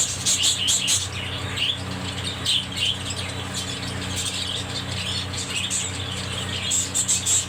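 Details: Pet budgerigars chattering with rapid high chirps and short squawky notes in scattered bursts, some warbled phrases, against a constant low hum.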